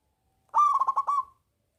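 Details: Big-voiced local zebra dove singing as a lure for lazy doves: a single rippling phrase of about six rapid, throaty coo pulses lasting under a second, then silence.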